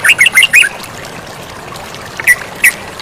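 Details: Sooty-headed bulbul singing energetically beside flowing water: a quick burst of four or five squeaky, bubbly notes, then a pause and two more isolated sharp notes over a low hiss.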